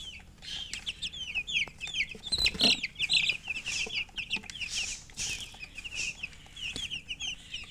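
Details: Baby chickens chirping constantly, many quick piping notes overlapping, with one louder shrill peep and a soft thump near the middle, plus faint scratching sounds.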